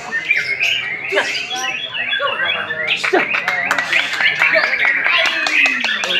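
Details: Bright, busy song from a White-rumped shama, one year four months old: a quieter opening of warbled whistles builds into rapid clicks, buzzy trills and ringing whistles, with a slow falling glide near the end.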